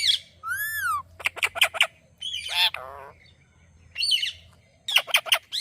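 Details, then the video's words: Parrot calling out "Mithu": bursts of harsh squawks and quick chattering syllables mixed with a clear arched whistle, separated by short pauses. "Parrot Calling Mithu Mithu"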